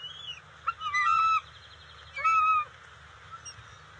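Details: Bald eagle pair at a nest with eaglets, the female bringing in fish on 27 June 2021; two loud bursts of high, chattering whistled notes, each under a second long, over a faint low hum.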